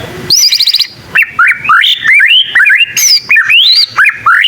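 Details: Young white-rumped shama learning its song, said to prompt other shamas to answer: a rapid stuttered trill of high notes, then loud whistled phrases that sweep up and down, separated by brief pauses.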